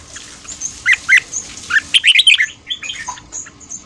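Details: Red-whiskered bulbul in fast morning 'ché' singing meant for voice training and stirring new wild-caught birds; a tight cluster of quick, bright warbles in the middle, with thin high twittering from other birds behind.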